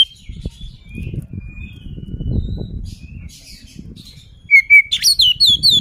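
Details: Oriental magpie-robin kept to provoke a rival bird into fighting mood; faint thin whistles, then a loud burst of rapid, sharp, repeated whistled notes at the end over a low rumbling background.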